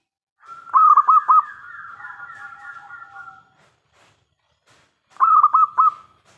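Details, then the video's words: Local Zebra Dove with a big voice, sung to lure other doves into answering: two phrases of four pulsed mellow coos, the first trailing into a long soft warbling tail. "PERKUTUT LOKAL GACOR suara besar"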